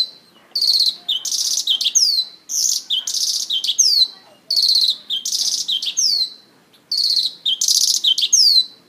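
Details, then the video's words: Mongolian lark singing while dancing on stage, delivering a repeated phrase about every two seconds: dense buzzy bursts followed by bright downward-slurred whistles, steady and loud throughout. "Mongolian lark singing"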